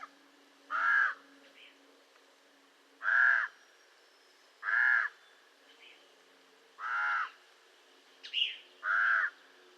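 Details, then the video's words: Common raven calling six times, each a short coarse caw about two seconds apart, with a faint steady low hum beneath and a brief thin note near the end. "Raven Sound | Mysterious Calls of One of Nature’s Smartest Birds"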